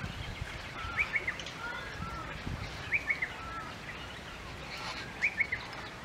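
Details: Northern Fantail at Edith Falls, Northern Territory, Australia, on 31 July 2022, giving short bursts of three sharp, high chips about every two seconds over a steady rushing background like falling water.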